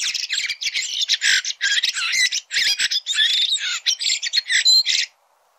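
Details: Singing red-throated thrush giving a continuous, dense stream of harsh, squawky, scratchy notes for about five seconds before falling silent.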